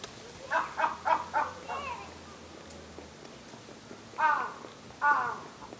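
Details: A single wild crow, having flown into a Humboldt penguin enclosure, calls repeatedly at the penguins: a burst of four harsh caws around one second, softer notes, then two louder caws near the end, over low background hum.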